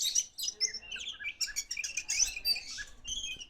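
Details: Kacer poci, the pied form of the Oriental magpie-robin, singing actively: a quick jumble of high, sharp chirps and short varied whistled notes, with a man speaking briefly afterwards.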